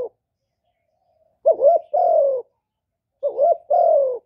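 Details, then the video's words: Spotted dove cooing to lure wild birds toward a trap, recorded without background noise. Two doublets about two seconds apart, a warbling short coo followed by a long falling coo. "Cu gù cực hay kéo bổi về tàng"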